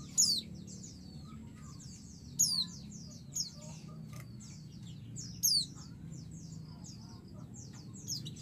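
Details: A female white-eye calls the male to provoke an excited reply: sharp, high, downslurred whistled notes come roughly every one to three seconds, set against continuous faint high chatter and low background rumble.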